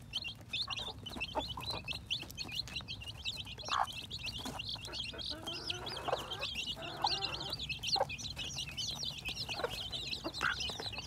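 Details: Baby chicks hatching in spring 2021, many peeping steadily in high rapid cheeps for the whole stretch, while an adult chicken adds scattered low clucks over a humming background.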